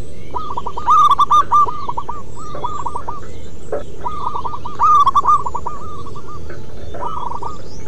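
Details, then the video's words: Local wild zebra doves singing persistently: two loud phrases of quick, rolling staccato coos about four seconds apart, with quieter answering runs of the same cooing between them and a constant low hum. "Perkutut MASTERAN BUNYI Manggung Terlama"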